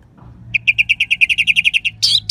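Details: Orange-headed thrush phrase used as a prompt for other songbirds: around fifteen rapid identical chips in a steady stream, then a loud rough burst of squeaky notes; background hum present.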